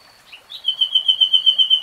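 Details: Common nightingale singing: a brief soft note, then a long, steady, high pure whistle that pulses rapidly in loudness, almost like a fast tremolo, held for over a second.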